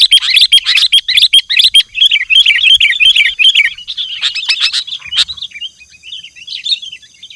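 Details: Sooty-headed bulbul in lively full song, used to call wild bulbuls: dense, bubbly chattering notes repeated rapidly at a mid-high pitch, loud and continuous, thinning to softer twittering toward the end.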